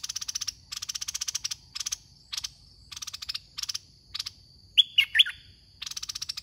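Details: Red-whiskered bulbul kept in a cage as a trapping decoy at a contest: a cluster of three sharp whistled notes near the end, set among repeated dry pulsed chattering bursts and a constant high tone.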